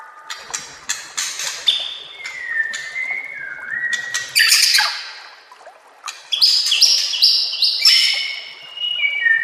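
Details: White-rumped shama song used as master song for training other shamas: rapid mix of sharp high chips, clear level whistles and downslurred notes, with bursts of buzzy high phrases between pauses.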